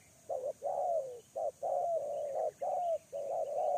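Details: Spotted dove serving as a lure bird, calling near a wild dove. Loud, dense coos come almost without a break, each a short note then a long, slightly falling coo, warm and low-pitched.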